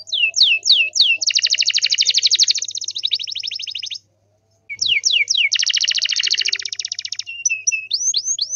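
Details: Canary in strong song for making other canaries reply: falling whistles and long rapid pulsed trills in two bouts split by a short pause, ending with quick whistled notes.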